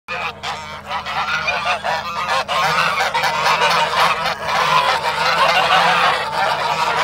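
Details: Swan goose during an attack: dense, overlapping harsh nasal honks with rough harmonics, delivered in rapid irregular bursts with no pauses, over a steady low mechanical hum.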